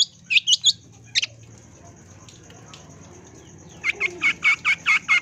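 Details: Long-tailed shrike used as a lure to train kept birds: a few sharp high notes, then a long pause, then a fast run of seven harsh, buzzy notes repeated evenly at the end, over a low background rumble.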